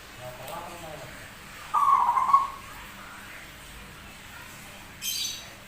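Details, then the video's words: Unusual-voiced zebra dove, rare but singing freely; one short warbling whistled coo, then a brief hissing noise burst a few seconds later, with faint murmuring sounds early on. "PERKUTUT SUARA ANEH TAPI GACOR"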